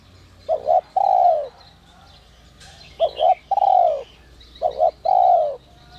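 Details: Whistle-voiced ('giọng còi') spotted dove, a voice used to provoke wild doves: three evenly spaced phrases of two short clipped notes followed by one long, downward-sliding coo.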